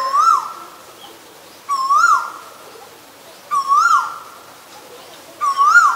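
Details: Asian koel calling four times, once every two seconds or so: each note is a loud whistled swoop that rises and falls, with echoing tails in an otherwise quiet setting.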